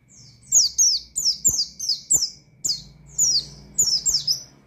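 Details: Oriental white-eye firing off calls to a rival in gacor ngalas style: a steady run of loud, high, falling whistled chirps, often doubled, over faint low humming and clicks.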